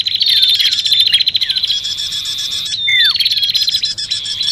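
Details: Combined bar-winged prinia and common iora lure sound: steady, high rattling chatter with a few falling whistled slurs; a brief gap holds one long downward-sweeping whistle.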